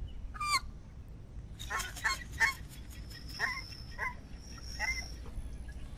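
American white ibis giving about six hoarse, nasal honks at irregular intervals over several seconds, with a steady low rumble of wind or distant traffic beneath.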